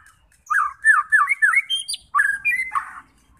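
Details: White-rumped shama singing to provoke rival fighter shamas: a string of quick looping whistled slurs, a high sharp note, then a buzzy rasping phrase before fading to quiet.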